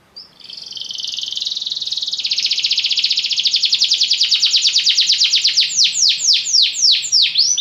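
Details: A Belgian canary delivers a lazy-style song that opens with a thin note and builds into a long, rapid, even trill, breaking at the end into loud looping sweeps.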